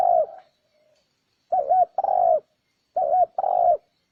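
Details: Spotted dove calling as a lure for wild doves: three paired phrases, each a short bent coo then a longer, level, hollow coo, spaced about every one and a half seconds. Silence between.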